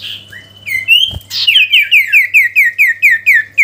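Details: Sooty-headed bulbul song used to call a rival, natural-sound recording: a held whistle and a short rising note, then a fast run of about ten sharp, downslurred whistled notes in quick succession, with a low hum and one soft thump.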